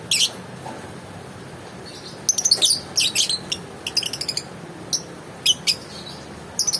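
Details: Lovebird uttering sharp, piercing chirps in quick stuttering runs with brief pauses between clusters, and a faint murmur of background noise.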